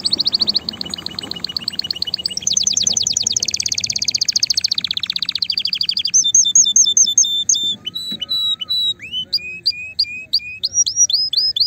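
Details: Vigorous canary song aimed at stimulating mating: sustained rapid trills shifting pitch, followed by spaced, clear, upward-flicking whistled notes, with a soft low background rumble.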